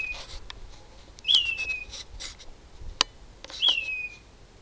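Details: Loud bird calling at 4am at night from a mesquite tree, unusually. Two clear, high whistles, each starting sharply and sliding downward, about two seconds apart, with faint clicks and taps between them.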